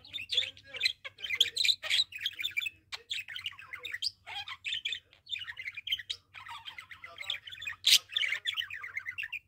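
A budgerigar chatters in rapid, scratchy warbles and squawks, with bright chirps mixed into a steady stream.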